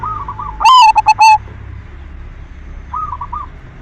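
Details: Silver zebra dove singing keenly as a lure to encourage other doves to sing: one loud, ringing phrase of a rolling note and three short staccato notes, with quiet coos from other doves before and after.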